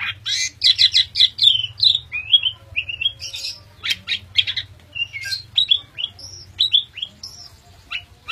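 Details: Asian pied starling, a bred songbird from Indonesia, pouring out a dense jumbled song of harsh chattering notes mixed with short whistles and squeaks, continuous throughout, with a low background hum.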